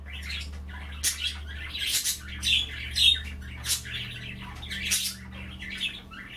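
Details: Pet budgerigars chattering indoors while nibbling kale in water at bath time: dense, scratchy warbles and sharp chirps in irregular bursts, with a steady low mechanical hum underneath.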